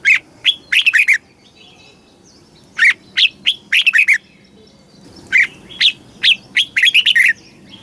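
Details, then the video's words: Red-whiskered bulbul from Thailand delivering southern master-style song, played to excite caged birds and tutor chicks; repeated phrases of clear, rapid whistles, each with a few lead notes before a quick jumbled run. "เสียงนกกรงหัวจุก สำหรับต่อ หรือ เปิดให้นกคึก"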